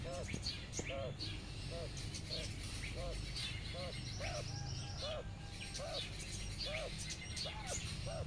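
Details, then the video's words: Quail mother summoning her twelve baby chicks while they graze outdoors in the sun; an even series of low, arched notes about every half second over heavy low-pitched background noise, with faint high chirps. "Mother quail calling to her cute baby chicks"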